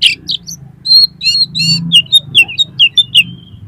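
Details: Oriental magpie-robin in lively song, used to trigger competition birds: fast stuttering chirps and ringing whistles in quick succession, settling into a run of evenly repeated downslurred notes, over low hum.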